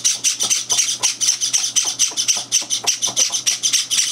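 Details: Chaotic breakfast of Java sparrow chicks joined by two older birds: unbroken stream of rasping high-pitched begging cries, several per second, with a faint household hum underneath.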